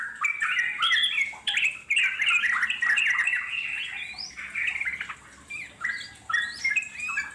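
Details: Wild Yellow-vented Bulbul singing: a tumbling run of bubbly warbled notes for about four seconds, then shorter separate chirpy phrases with small gaps, in the long ngeropel style.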